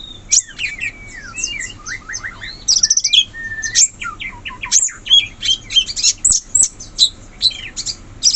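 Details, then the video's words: Wild sooty-headed bulbul in its forest habitat pouring out dense, rapid high chirps and twittering slurs in near-continuous chatter, broken by a few short gaps. "Suara burung cucak cungkok asli hutan"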